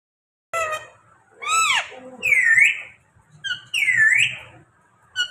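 A parrot speaks in short, harmonic, voice-like phrases, with bright whistled swoops between words, four or five bursts in a few seconds in a quiet room.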